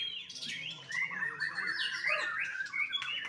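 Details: Young captive-bred white-rumped shama from a Bali bird farm singing looping whistled phrases that swoop up and down, with a few short chirps and a soft lower warble.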